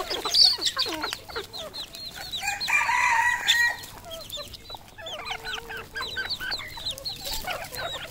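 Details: Red junglefowl on a Cambodian farm: rapid high peeping notes, about four a second, and a rough, drawn-out crow-like call near the middle, with further clucks and peeps from several birds afterward.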